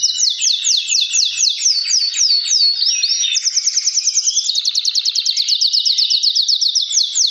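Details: A fine male canary sings while other males answer, song used to stimulate breeding; rapid repeated descending notes, about two per second, then a fast even trill of sharp high notes held for several seconds.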